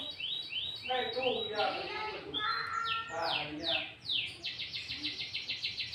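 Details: Sooty-headed bulbul lure song, loud and chattering, meant to excite bulbuls and answer rivals, mixed with green leafbird phrases: a run of bright downslurred chirps and warbled notes, ending in a fast even series of short repeated notes.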